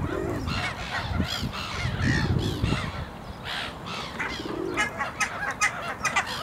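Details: Great black-backed gull, usually left to eat in peace, giving harsh, hoarse calls with nasal overtones in several short bursts over a few seconds amid low rumbling background noise while feeding.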